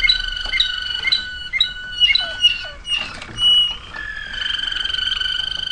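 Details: Waterslager canary from 2009 singing spaced bright notes and a few dropping glides, then a softer steady rolling tone.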